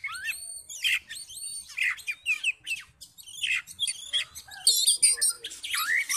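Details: Oriental magpie-robin in fighting mode, provoking other males with fast, varied song: high whistles, scratchy bursts and squeaky notes tumble together without pause, growing denser toward the end.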